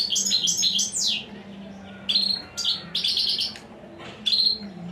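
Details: European goldfinch song of lively, liquid twitters and fast descending slurred notes in several phrases, with a steady low hum in the background.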